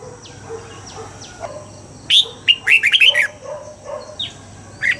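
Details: Red-whiskered bulbul singing in the morning in the double-note mature wild style (âm kép già rừng), for voice training: faint down-slurred notes, a loud rapid burst of chirpy whistles in the middle, then scattered softer notes.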